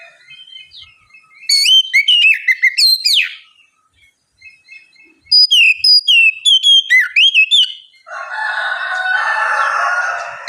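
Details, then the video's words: White-rumped shama singing, played to prompt a lazy, reluctant bird to answer and sing; loud clear whistled phrases with rising and falling slurred notes in two bursts, then a softer scratchy chattering passage near the end. "terapi kacer ngeplong santai, pancingankacer bahan malas bunyi supaya cepat nyaut gacor"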